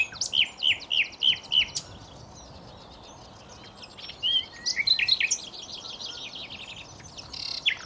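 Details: Nightingale song opening with a run of about seven loud repeated whistled notes, then a pause and a second burst of quick chirps and trills, with soft ambient noise underneath.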